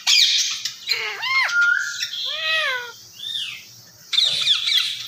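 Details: Talking Indian ringneck parakeet producing clear, voice-like arched and rising whistled syllables in quick succession, closing with a harsh squawk burst; faint low hum behind.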